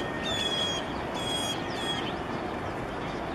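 Green-winged teal giving two or three faint, high, clear whistled notes over steady background noise.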